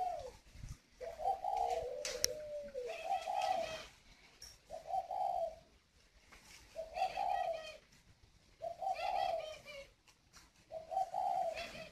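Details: Hand-raised, very tame large male spotted dove with a 'còi' whistle-type voice gives six mellow coo phrases, each about a second long, separated by short pauses, over light background rustle and a brief click.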